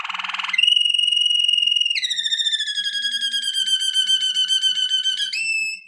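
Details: Strong song of a Malinois Waterslager canary: a short rattle, then a pure steady whistle that drops into a pulsing, rolled whistle and rises sharply again at the close.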